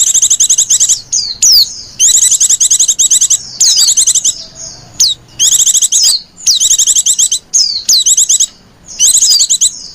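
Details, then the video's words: Female white-eye calling, used as a lure for other white-eyes: high, fast bursts of sharp chattering notes repeated in rapid trills, broken by thin descending whistles and short pauses. "Burung pleci betina lenjeh manja pemikat burung pleci"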